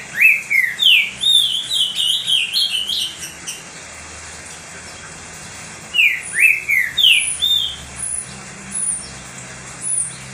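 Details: Pet green-winged saltator (trinca-ferro) singing heavily, a song meant to warm up and stimulate other saltators: two bursts of loud, clear whistled phrases, slurred notes swooping up and down, first lasting about three seconds, second shorter after a quiet gap.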